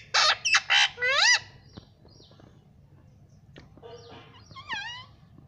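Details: Pet talking parrot saying "mummy": a quick run of harsh, buzzy, speech-like bursts, then a rising and falling nasal word, a quiet gap with faint clicks, and a final wavering, bending phrase.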